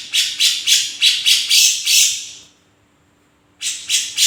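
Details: Harsh, raspy chattering from a grey-cheeked bulbul singing vigorously, a fast series of seven buzzy bursts trailing off, silence, then another pair of bursts.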